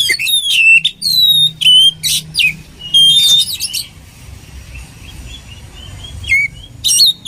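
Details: Oriental magpie-robin (kacer) song used for training other birds: bursts of sharp whistled notes with sweeping slides and harsh chattering phrases, separated by short pauses, faint quieter notes between.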